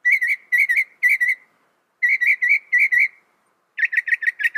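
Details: Loud, rapid song of a Northern mockingbird: paired whistled notes repeated in groups, a brief pause, another series of doubled notes, then a fast stuttering burst.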